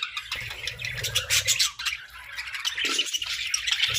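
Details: Several colorful budgerigars chatter with squawky, buzzy chirps in rapid succession. One harsher, lower squawk stands out near the three-second mark over faint low rumbling.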